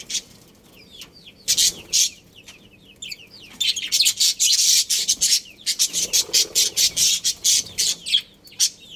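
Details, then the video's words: Chirping from a budgerigar breeding pair: thin warbled squiggles at first, then a dense stretch of loud scratchy chirps repeated rapidly, roughly two per second. "Cute Budgies Chirping Sounds"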